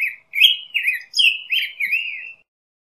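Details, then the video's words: Black-headed grosbeak singing a continuous, robin-like warble of slurred whistled phrases that rise and fall, several linked notes over about two seconds. "Picogrueso Pechicafé Canto - Black-headed Grosbeak Bird Song"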